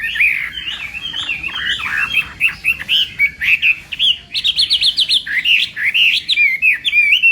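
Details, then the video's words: Chinese hwamei in a morning singing-contest training session, pouring out a long, fast song of varied warbles and whistles, with a rapid burst of steeply repeated notes midway. "Hoạ Mi Hót Đấu /hoạ mi hót sáng luyện giọng"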